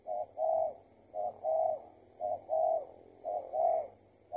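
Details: Spotted dove being lured in a trapping session, an escaped tethered decoy bird: low, mellow coos in repeated pairs, a brief note then a longer rolling one, about one pair per second, four pairs with no other clear sounds.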